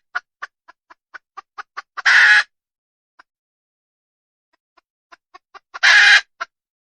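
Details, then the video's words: Wild junglefowl hen: repeated clucks build into a loud, raspy squawk, then a lone cluck and a quiet gap follow, before a second run of clucks rises into another squawk and a final cluck. "Suab poj qaib qus tsauj dib tuaj zoo heev"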